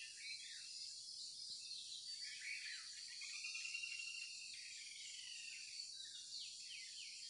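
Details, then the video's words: In the morning, birds give rapid, jumbled chirps and short trills, a descending run of notes near the middle and quick high flicks toward the end, over a continuous shrill background drone. "the chirping of birds"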